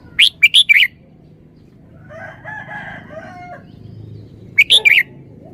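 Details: Red-whiskered bulbul giving its three-syllable song style: a loud burst of four sharp whistled notes, a stretch of faint warbled background calls, then the bright phrase repeats near the end.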